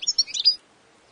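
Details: European goldfinch giving a brief cluster of four or five high, tinkling chirps in half a second.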